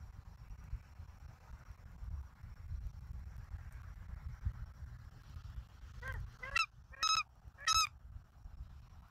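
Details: Bald eagle at a live nest camera in Southwest Florida, 17 November 2024, evening. Low wind rumble at first, then four short, high, harmonic squealing calls in the last three seconds, the later two clear and steady-pitched.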